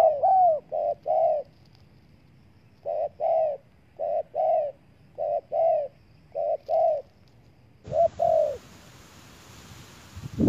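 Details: Spotted dove lure call for attracting wild doves, a steady series of paired soft coos, short note then longer wavering one, repeated every second or so, then a burst of hiss and a thump near the end.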